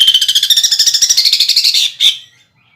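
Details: Greater green leafbird rattling out fast pulsed notes in woodpecker (pelatuk bawang) style mimicry, for songbird competitions. About two seconds of rapid trill, then one sharp final note.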